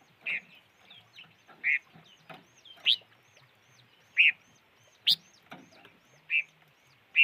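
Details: Wild bird calling with short, bright chirped notes, several loud ones spaced irregularly about a second apart, with softer chirps and twitters from other birds in between.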